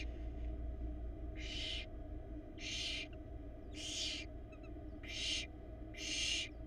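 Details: Five loud, airy hisses, spaced roughly a second apart, come from a barn owl nestling in Florida, 2022, as it attempts to swallow a very large rat in its nest box. A low drone runs underneath.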